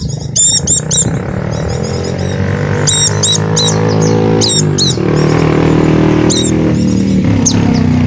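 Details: White-eye of the Javan dakun type, used as a lure to get silent caged white-eyes to sing: short, high, sharply rising and falling chirps in quick clusters, over loud steady low rumbling noise.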